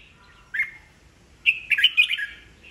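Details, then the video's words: Aged wild-origin red-whiskered bulbul whose song is used to train caged birds and goad rivals into singing contests. One short clear whistled note, a pause, then a longer bubbly, rapidly modulated whistled phrase. "Chào mào già rừng bọng cực hay, siêu kích bổi, bổi nghe là hót đấu"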